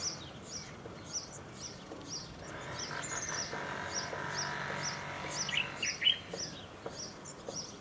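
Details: European serin (Serinus serinus) song: very high, thin, jingling bursts, about two each second, over a steady background hum.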